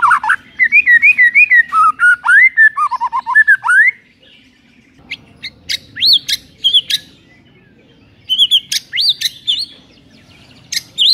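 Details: White-rumped shama song intended to provoke a sluggish shama: rapid warbling trills and descending whistled runs, a pause, then scattered sharp high notes and short whistled phrases.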